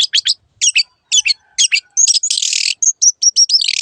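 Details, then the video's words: Cendet, the Long-tailed shrike, singing on a training recording for caged birds: paired clipped chirps, then a hissing buzzy burst and a series of thin high whistled notes, very clean background. "MASTERAN BURUNG CENDET SANGAT COCOK BUAT CENDET MACET BUNYI ATAU PINDAH JURAGAN"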